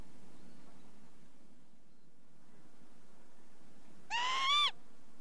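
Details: After several seconds of quiet rumble, a Northern lapwing gives one rising, wheezy, slurred note with a small upward flick at the end.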